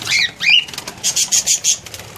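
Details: Cockatiels, a pair kept in an aviary and described as very skittish and poorly settled there, give two loud rising whistled calls, followed by a run of five short, high, evenly spaced chirps.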